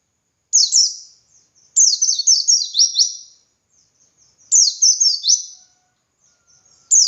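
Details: Ngalas song of a dakun white-eye, played to train other white-eyes: short high flourish followed by long runs of rapid, thin, sliding notes dropping in pitch, with quiet tinkling between phrases.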